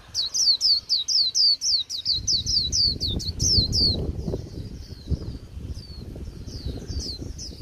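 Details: Wild-caught white-eye at the close of the season singing a dull líu twitter: a long rapid burst of sharp high downslurred whistles, about four per second, then sparser fainter notes while low rumbling noise rises.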